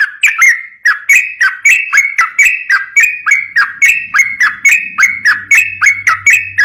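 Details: Sooty-headed bulbul song for training other bulbuls as a lure: continuous chain of bouncy whistled notes, each rising sharply then falling, delivered about four per second, with a low hum entering later.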